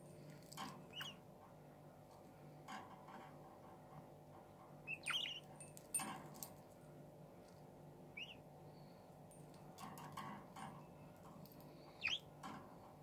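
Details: A budgerigar late at night, playing with her favoured toy, gives a few soft, brief chirps over a low indoor hum and scattered tapping clicks.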